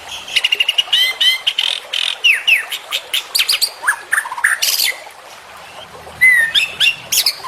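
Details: Full master song of a white-rumped shama: dense bursts of high chattering notes and ringing upslurred whistles, a brief pause near the fifth second, then renewed sharp whistled phrases.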